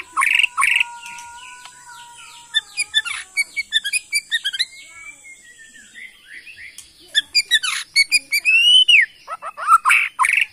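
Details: White-rumped shama of Borneo, from Kalimantan forest stock, kept as a songbird, delivering long sliding whistles mixed with rapid high tinkling notes and loud sharp bursts.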